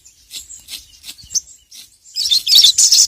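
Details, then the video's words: Crimson sunbird (sogon), a prized songbird, calling a rival with its ngeriwik chatter: scattered thin high chirps, then a louder dense burst of rapid, shrill twittering notes at the end. "SOGON GACOR NGERIWIK LANGSUNG BONGKAR EMOSI dengar masteran burung sogon gacor memanggil lawan ini"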